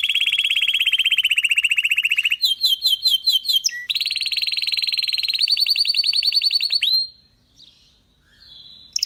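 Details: Belgian canary song: a long steady rolling trill, then sharp clipped repeated notes, another sustained trill and a rising rattled phrase ending in near silence.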